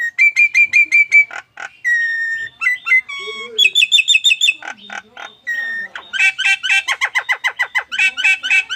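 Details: Nias hill myna producing strange alarm-like calls: a rapid series of identical whistled notes, flat whistles and slurred notes, then dense harsh rattling bursts repeated quickly to the end; a voice is heard faintly.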